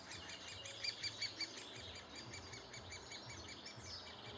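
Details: Great spotted woodpecker at the nest in June 2011, adults feeding chicks: a rapid, fairly regular stream of high, thin pulsed calls, almost three per second, with a few sharper bright notes near the start over a low background hum.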